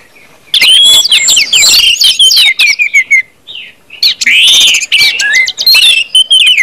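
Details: Orange-headed thrush singing in the full, open ngeplong style, used to prompt other birds to sing. After a quiet start, dense bursts of high whistled and twittering phrases, with slurred notes and quick trills, broken by brief pauses.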